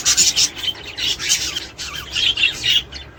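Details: Budgerigars calling to prompt mating and breeding: short burst of scratchy, rasping chirps and squeaky notes in quick clusters, loud and close, ending in brief pauses.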